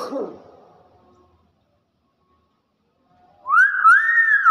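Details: A clever common hill myna gives a brief soft sound, falls quiet for about two seconds, then produces a loud, clear whistled note that rises and holds a wavering, voice-like tone to the end.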